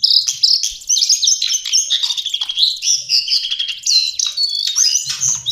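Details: Lesser shortwing (cingcoang or jongkangan coklat) pouring out a rapid, continuous warble of high twittering notes and slurred whistles that rise and fall without a break.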